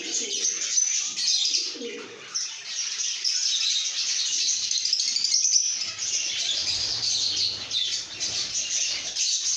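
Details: Lovebirds chirping and singing in a happy, good mood: a dense, continuous wash of high, scratchy chirps and twitters, with a few soft lower murmurs early on.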